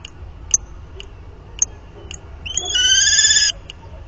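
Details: Common kestrel pair copulating at the nest, 30 March 2019; a few spaced clicking ticks followed by a sustained, slightly rising harsh whine lasting about a second.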